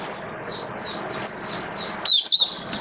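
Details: Hobby-kept Oriental white-eye, wet season, October 2022: thin, high, slightly wavering notes drawn out over constant background hiss, ending in a few sharper chirps.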